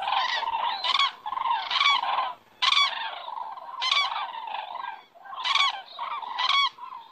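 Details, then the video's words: Evening flock of cranes circling overhead in Estonia, September; strong bugling trumpet calls come in bursts about once a second, several birds calling over one another with short gaps between phrases. "Cranes fly by and circling in the sky"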